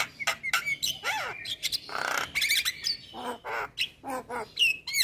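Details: Loud, varied song of a white-eyed male Javan myna, meant to get idle mynas singing: raspy squawks, a long harsh burst, and clear upward and downward whistled slides, closing on a sharp whistle.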